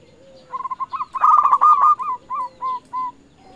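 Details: Local zebra dove used for luring rivals: a trill of fast, rattling coos swells to a loud rolled phrase, then trails off into a few separate spaced coos. Fainter lower tones sound at the start and end.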